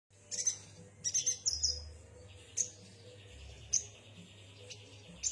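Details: Yuhina song: high, thin chirps and short trills in bursts, with quiet pauses between them and a steady low hum underneath.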